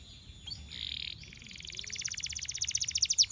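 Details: Canary singing to draw other canaries into song: a soft buzzy note, then an accelerating trill of quick high pulses growing louder toward the end, over a low background hum.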